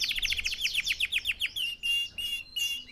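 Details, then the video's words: Red factor canary singing for training birds: a run of quick downward-slurred chirps, then short flat whistled notes with gaps. "Xem video này cho chim yến của bạn tập hót|Red Factor Canary Singing"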